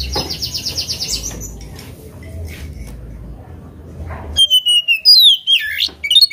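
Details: Oriental magpie-robin singing against a rival: a short series of buzzy repeated notes opens, followed by a lull with low background rumble, then clear swooping whistles and sharp slurred notes at the close.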